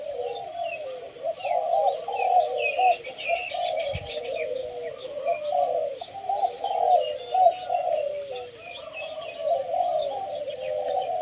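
Many Spotted Doves cooing at once, soft low hoarse coos overlapping in a steady rolling chorus, with thin high chirps of smaller birds above.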